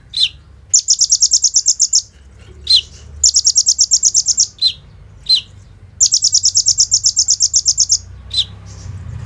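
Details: Brown-throated sunbird singing a lively song full of imitated cicada and bird sounds, used in Indonesia as a training lure for other birds. Long rapid metallic trills of about a dozen pulses alternate with single sharp downslurred notes, repeated three times.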